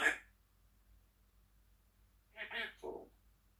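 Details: Pet African grey parrot chatting in the morning; a brief sharp sound opens, then after a pause a quick three-syllable speech-like phrase with a lower final syllable, in a quiet room.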